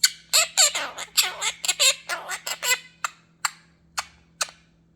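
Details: Pet male monk parakeet (Myiopsitta monachus) talking and singing: rapid, harsh, speech-like chatter, then sharp clicks.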